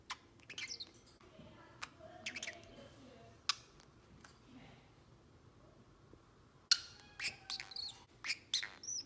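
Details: A 7-month-old male pet Pacific Parrotlet that talks gives bursts of high, sharp chirps and squeaky twitters in scattered clusters, louder and busier toward the end.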